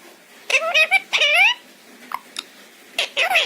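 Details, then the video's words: Talking pet parrot imitating Hindi phrases such as 'kya ho gaya mere bachche' and 'Radhe Radhe': two high, harmonic-rich, speech-like bursts in quick succession, a pair of faint clicks, then a final wavering phrase, in a quiet room. "Talking Parrot :- मिट्ठू क्या हो गया मेरे बच्चे। Kya ho gya mere bachche."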